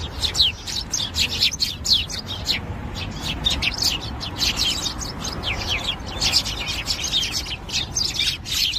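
Java sparrows chirp constantly as a flock, with overlapping short, high, sharp chips and tinkling notes over a low rumbling background.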